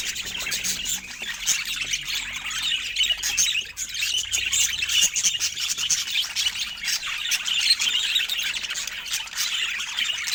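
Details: A group of pet budgerigars chattering together: dense overlapping chirps, squawks and warbling notes running on steadily, many birds calling at once.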